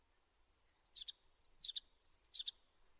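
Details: High, thin whistles run together with brief descending chattering notes as a tit delivers three linked phrases over about two seconds, with a calm, quiet background.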